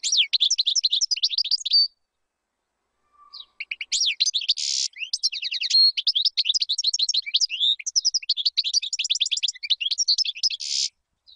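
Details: Sustained European goldfinch song for teaching young birds: rapid liquid twittering trills interspersed with harsh buzzy notes, flowing almost continuously after one short pause, bright and clear.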